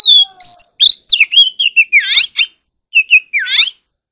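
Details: Oriental magpie-robin stimulated to sing in a song duel, pouring out a rapid string of sweet, slurred whistles and chirps that rise and fall, with a brief gap before a final twisting flourish.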